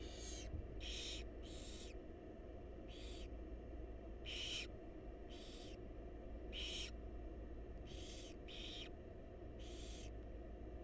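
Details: Wild barn owl chicks in a monitored nest box while their mother feeds them: repeated harsh hissing screeches, about ten broad noisy bursts in eleven seconds, over a steady low hum.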